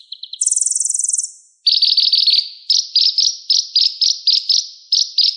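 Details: Van Hasselt's sunbird with a rich, complete song repertoire, kept as a vocal tutor for other songbirds: a brief stutter, a fast high buzzing trill, then a steady series of sharp chirps repeated about four per second.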